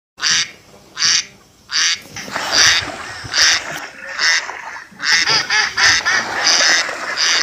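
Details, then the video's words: Ducks playing in water, kept as village birds in Assam, India, give loud harsh nasal quacks in bursts about every 0.7 seconds, several birds overlapping in the second half, with faint splashing between calls. "Funny Ducks sounds || Ducks playing in Water"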